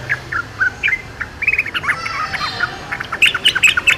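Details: Yellow-vented bulbul singing in the wild: bubbly, chirpy phrases of short warbled notes, mid-pitched with some higher sharp notes, delivered in quick irregular bursts against a soft outdoor background.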